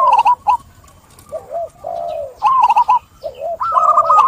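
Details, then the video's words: Clear-voiced local zebra dove singing to set off other birds. Rapid chattering, rolling notes alternate with slower, deeper coos in uneven phrases, with quiet gaps between them. "Perkutut Lokal Gacor | SUARA JERNIH Mengajak Yang Lain Ikut Bunyi"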